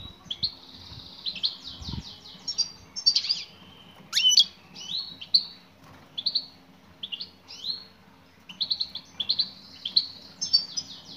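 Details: Calling female European goldfinch aimed at a male: long runs of rapid, high, tinkling chirps and slurred notes with a sharp click near the middle. Faint background hum throughout.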